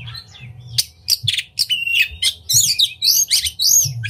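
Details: Oriental magpie-robin in vigorous song while spreading its tail, played to excite other magpie-robins into singing: a rapid, dense run of high chips, trills and looping whistles, nearly continuous throughout, almost free of low noise.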